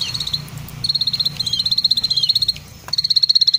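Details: Bar-winged prinia (Prinia familiaris), a kept songbird, sings long, fast, high trills of dry, even chips, about four per second, in bursts separated by brief pauses, over a faint low hum.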